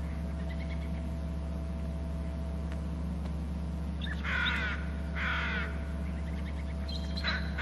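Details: Bald eagle flying in from inland to an upper left branch at its nest and territory on Hornby Island, trilling on landing: two loud, rapid stuttering bursts mid-recording and a fainter third near the end, over a steady low hum.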